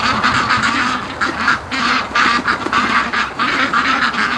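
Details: Domestic ducks rushing home in the evening from a day of swimming on a lake, spooked by something and likely hungry; a dense chorus of raspy, overlapping quacks pulsing in quick bursts with almost no pause between them.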